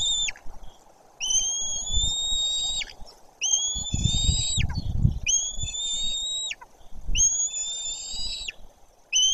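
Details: At a white-tailed eagle nest in Bory Tucholskie, with a parent arriving, thin drawn-out whistles sound four times, each level then falling off at the end, over bursts of low rumbling noise.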